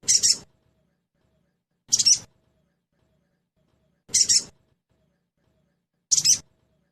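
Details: Pancingan sound of a sogon trotol meant to make the bird sing fast: four brief, high, scratchy chirps repeated about every two seconds in a quiet setting.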